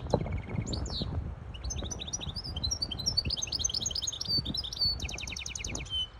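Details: Goldfinch hybrid song meant to teach young birds and excite a female goldfinch for mating: a fast, continuous tumble of bright twittering notes, slurred whistles and a rapid trill, with low background noise.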